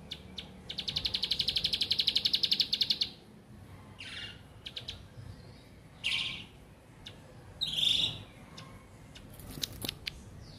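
A bar-winged prinia gives a fast, high, buzzy chatter of evenly repeated notes for about two seconds, then a few sharp chirps.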